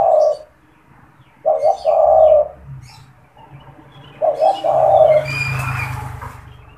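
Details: Coos from a caged spotted dove used for luring: three phrases, each made of two short notes and then a sustained coo, followed by a low rumbling background noise at the end.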